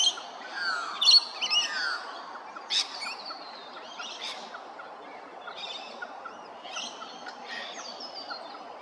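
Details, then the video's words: Laughing kookaburra at Hervey Bay, Queensland, giving a fast cackling chorus of harsh repeated notes, loudest in the opening seconds, then trailing into softer chuckling, over steady background hiss and faint chirps of other small birds. "Laughing Kookaburra"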